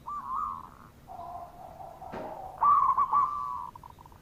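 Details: Local zebra dove singing as a lure to coax quiet doves into calling: a short warbled coo, a lower drawn-out purring note, then a louder trilled phrase ending in faint rapid pulses; a brief click sounds midway.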